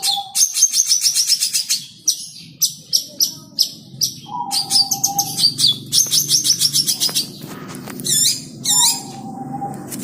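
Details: Long-tailed shrike (cendet), caged and fierce when teased, pours out rapid chattering bursts, then spaced sharp notes and sweeping high phrases. Level whistled tones sound in the background.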